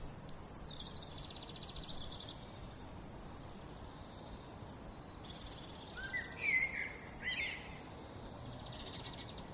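Great spotted woodpecker giving a couple of sharp, loud 'kik' notes near the end, over steady high twittering from other small birds and soft background hiss.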